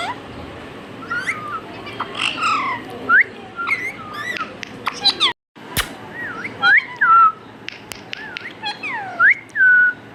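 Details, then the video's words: Talking pet parrot mimicking speech and a meow: jumbled squawky chatter gives way to clear looping whistles that rise then dip, repeated irregularly, with a short dropout mid-recording. "Adorable Talking Parrot"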